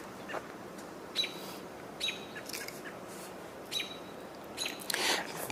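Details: An American robin calls an alert, possibly because of a nearby hawk: sharp, high, clipped alarm notes in four or five irregular bursts over several seconds, with faint human voices in the background, recorded 25 June 2022.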